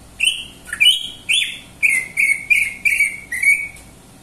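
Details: Loud, lively song of the cucak ijo or greater green leafbird: a few varied rising whistles, then a run of five repeated bright whistled notes at a quick, even pace.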